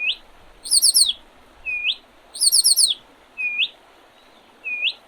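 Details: Along the Oredezh River, Leningrad Oblast, Russia, on 8 April 2023, a spring bird alternates bursts of four fast, high, slurred chirps with single rising whistles, repeating the pattern.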